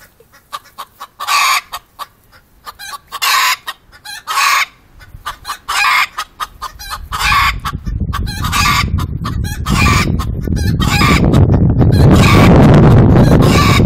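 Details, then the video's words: Rooster waiting as a hen lays an egg, giving a run of loud, harsh clucking bursts in quick succession, then a rising rumble of broadband noise that swamps the last half. "Rooster behavior while one chiken started to lay an egg"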